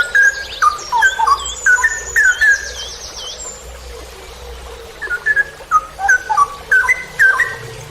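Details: Long 'ropel' song of a cucak rowo, the straw-headed bulbul, from a master training recording: loud, gurgling whistle phrases in two lively runs separated by a short lull, with high sweeping calls of another bird early on.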